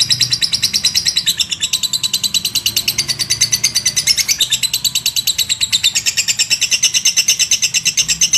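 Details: Lovebird long chatter, or ngekek, of regular, rapid high chirps at about three per second, sustained without pause and slightly shifting in pitch.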